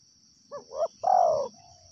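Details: Wild spotted dove giving a short coo phrase: two soft low notes then a longer, louder, slightly falling coo, with a steady high insect whine throughout.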